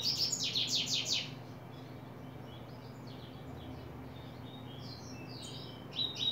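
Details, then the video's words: Coleiro (double-collared seedeater) opening its song in July 2024. A fast, loud burst of buzzy high notes lasts just over a second, then faint scattered chirps follow before a brief bright phrase near the end. Background noise is steady. "coleiro abrindo canto"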